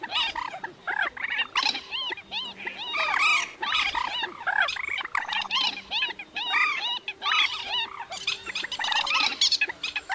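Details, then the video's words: White-breasted Waterhen calls played as a lure for night net-trapping of migrating birds in August: a loud, dense run of harsh, croaking notes repeated rapidly, several overlapping at mid-high pitch, over a faint low hum. "Tiếng Quốc Mốc"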